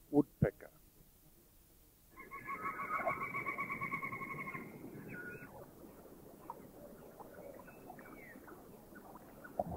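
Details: Rufous Woodpecker in a Thai national park: a rapid, nasal, trilled series lasting about three seconds, after two sharp knocks, over a steady hiss of forest background.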